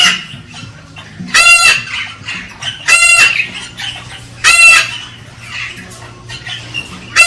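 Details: Galah cockatoo calling to stimulate a female to mate: three loud, harsh, harmonic screeches about every 1.5 seconds, with a low hum and quieter chatter between them.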